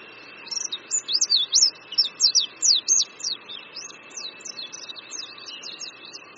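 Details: Oriental white-eye singing over a creek in Qingdao, Shandong, China, in spring: loud, high, wavering whistled notes rising and falling in quick succession, then softer, rapid twittering trailing off.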